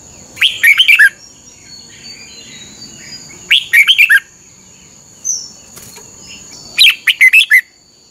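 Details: Training song of a Red-whiskered Bulbul, played each morning so caged birds can learn it. Three bubbly phrases of rapid, descending whistled notes come roughly every three seconds, with a short soft call between them.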